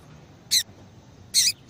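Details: Two harsh, buzzy, high call notes under a second apart from a female yellow-bellied seedeater, uttered to bring a male into breeding condition, with a faint third sound at the end.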